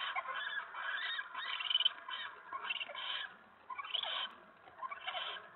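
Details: Male eastern screech owl chittering in a hideout late at night, 25 February 2017, after his mate scolded him for checking out her mouse and he returned to his spot by the door; rapid raspy chattering bursts in quick succession, separated by short pauses.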